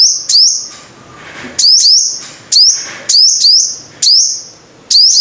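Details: Five-coloured sunbird, a lure recording: sharp high notes, each a quick upward sweep into a held, ringing thin whistle with a fading echo, given in bursts of one to three roughly every second, with quiet gaps between.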